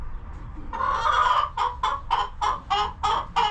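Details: Hens in a farm coop, calm and feeding: one longer harsh squawk, then six evenly spaced nasal clucks, about three per second.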